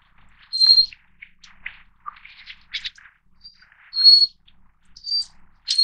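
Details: Thin, high, drawn-out whistles of a Little Forktail (Taiwan endemic subspecies fortis, a mountain-stream bird) are interspersed with a scatter of softer, lower chirps and clicks.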